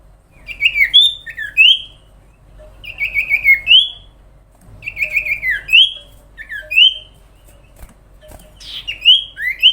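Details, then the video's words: Sooty-headed bulbul in full song, repeating short liquid phrases of two to four rising and falling whistles about every two seconds, with clear quiet gaps between phrases. "cipow/ sirtu gacor suara panjang sampai konslet"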